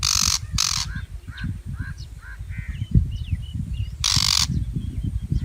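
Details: Shrike delivering a quick double rasp at the start and another long harsh screech near the end. Soft chirps and short whistles from other birds come in between over a low rumble.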